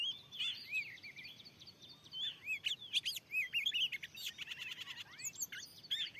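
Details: Wild Oriental magpie-robin, described as very fierce, singing in a newly set-up field while answering a lure: varied rapid whistled phrases, upslurs and sharp chirps, with bright clicks and short trills in quick succession.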